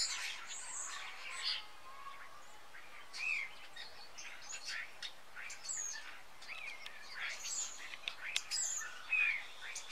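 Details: A flock of about 20 common starlings gathering in tall fir trees in Jutland, Denmark, in autumn, feeding on berries before migrating south; a busy mix of whistles, clicks and rising chirps from several birds at once.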